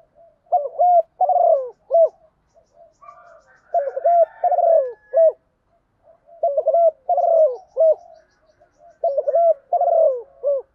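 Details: Female spotted dove calling to stimulate males to coo: repeated low, hollow coo phrases of several notes, grouped in bouts every few seconds, with a faint higher chirping sound in the gaps.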